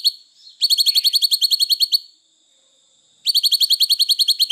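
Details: Streaked bulbul (Ixos malaccensis) song: fast, bright, high chattering bursts of about a dozen clipped notes, a short pause, then another rapid run.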